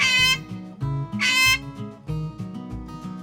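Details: Strummed guitar music with no animal voice heard.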